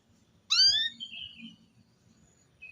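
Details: A single loud rising call from a female canary, used to coax the male into song, trailing into a softer level whistled note, over a quiet low background hum.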